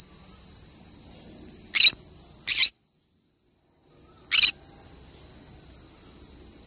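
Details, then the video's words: Green-cheeked conure playing alone in a forest: a quick pair of coarse squawks, a pause, then a third harsh squawk, all over a persistent piercing drone. "I play alone in the forest : green cheek conure parrot sounds."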